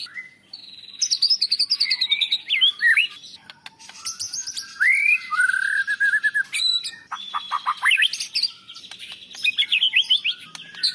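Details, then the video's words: National-champion white-rumped shama song, with fill-in material of Cilalilin, canary and lovebird phrases. Rich, fast, varied whistled phrases: rising and falling sweeps, rapid stuttering trills and sharp chips in quick succession, with no other sounds. "Suara Murai Batu Juara Nasional Untuk Masteran & Terapi Burung Drop Mental"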